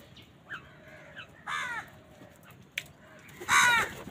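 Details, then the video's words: Crows gathered on a winter morning squabble over food. Scattered hoarse caws: soft ones early, a louder burst mid-clip, then a sharp, loud caw near the end over a faint outdoor hum. "Many Crows crowing sounds and noises on a winter morning"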